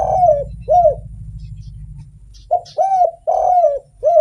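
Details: Spotted dove in full song, suited to luring other doves: hollow falling coos, two at first over a low rumbling hum, then a quicker run of four coos after a gap.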